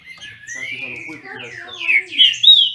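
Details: Green-winged Saltator, captive-bred in Brazil, singing in a duel: long drawn whistles gliding slowly upward, then three louder, brighter slurred notes near the end, with a soft low murmur underneath.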